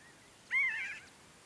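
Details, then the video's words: A single Pinyon jay of a foraging flock at Great Sand Dunes in southern Colorado's San Luis Valley gives one short, harsh, nasal call that drops slightly in pitch, against quiet background. "Pinyon Jay flock calls"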